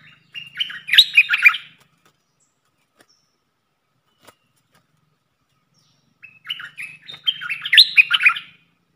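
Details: Caged red-whiskered bulbul serving as a luring decoy sings two separate bursts of quick whistled, chattering phrases, divided by several seconds of silence, with a faint low hum beneath.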